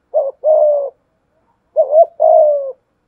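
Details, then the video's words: Spotted dove with a 'thổ' voice mixed with 'thúc gù' cooing, contesting a wild dove: two paired phrases, each a short clipped note followed by a longer, steady, mid-pitched coo, separated by a second of silence. "cu gáy giọng thổ pha thúc GÙ đấu với bổi, tiếng gáy bổi nghe rất ghét và gáy theo hiệu quả"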